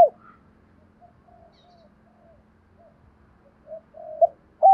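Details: Spotted dove recording used to train decoy doves. Soft, scattered low coos drift through near silence, building to a louder pair of cooing notes and a strong final coo.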